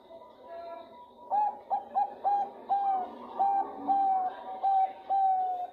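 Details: Calling to a male, a female Bangkok zebra dove gives a faint lead-in coo, then around ten crisp, level whistled coo notes in a loose, uneven rhythm, a few stretched longer, with a quiet background.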